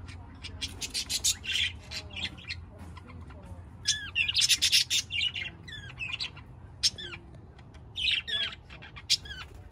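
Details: Budgerigars warbling busily, mixing fast ticking clicks, scratchy buzzes and short upslurred whistles in an irregular, continuous stream.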